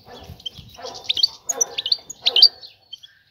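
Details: Female European goldfinch calling for a male to mate: three quick bursts of high, sharp tinkling notes about half a second apart, with faint low thumps in the background.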